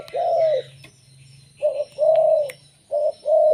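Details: Local zebra dove singing, its song used to lure other zebra doves: a rolling, trilled coo, then short burry notes each followed by a longer purring coo, with a low steady hum beneath.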